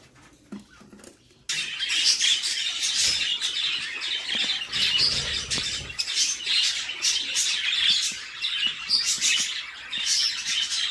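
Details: Nest-box budgerigar chicks fed by their mother; after a quiet second and a half, loud scratchy hissing begging starts abruptly and runs on in dense, rapid rasping pulses.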